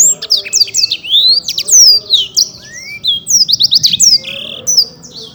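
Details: Black-throated canary, a contest champion from Bekasi, Indonesia, pouring out continuous song: bright high chirps, swooping slurred whistles and a few lower rising notes, delivered in quick succession over soft background rumble.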